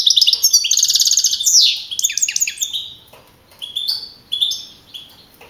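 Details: Young male European goldfinch, contest winner at Navalcarnero, Madrid, on 15 April 2012; a fast buzzy trill opens the song, followed by slurred downward notes and spaced bright chirps separated by short gaps.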